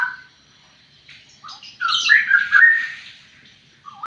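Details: Juvenile straw-headed bulbul, almost five months old, learning its song: a short start note, then a loud, bubbling, rolling whistled phrase with bright high overtones lasting about a second and a half, fading, then another note begins.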